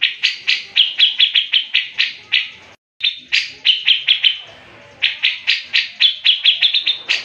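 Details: Grey-cheeked bulbul in full gacor mbeset ngepik speed rapat delivery, a master recording for tutoring cage birds. Sharp, high, rapidly repeated chopping notes come in dense bursts, with one short gap and a softer fading stretch mid-phrase.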